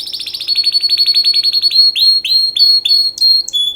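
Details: Canary song for mating: a very fast, even, high trill gives way to a series of separate downward-swept chirps, about two per second, with a bright high note near the end; a low steady hum sits underneath.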